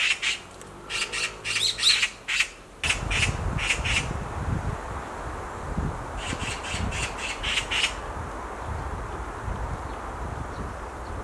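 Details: Black magpie on a tree branch screaming: a rapid burst of rasping notes, then a loud rumbling noise takes over, with a second volley of harsh screams partway through.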